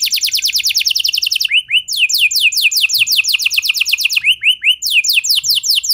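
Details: Canary song played to set other canaries singing: a fast string of falling notes, then repeated quick whistled sweeps and chirps in a lively, continuous high-pitched sequence.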